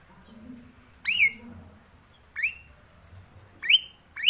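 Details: Four ringing, upward-sweeping whistles from a black-collared starling, locally jalak suren, the first longest and wavering, the later ones shorter and quicker.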